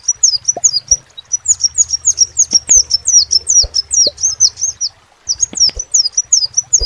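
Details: Rapid high, slurred twitter from a crimson sunbird in two bursts, with a few sharp clicks and a low hum underneath.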